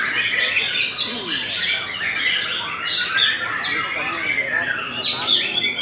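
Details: Strong, varied song from a Belanda white-rumped shama: clear high whistled notes, quick descending slurs and chattering trills in rapid succession.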